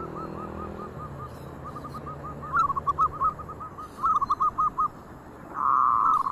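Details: Local zebra doves singing, one starting and others joining in; soft rounded cooing notes in rapid repeated phrases, rising into a louder rolling burst of coos, then a sustained tonal phrase at the end over low background hum.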